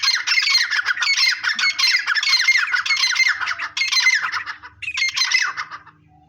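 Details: Harsh, raucous squawking from a grey francolin, loud and continuous in choppy bursts, with a brief break before a final burst that trails off.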